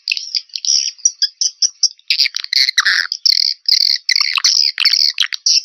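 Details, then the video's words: Swiftlet lure call recorded in 2021: a run of quick, evenly spaced high chirps, followed by louder, harsher twittering bursts that crowd together into a rapid chattering sequence. "SUARA SUPER PANGGIL WALET 2021"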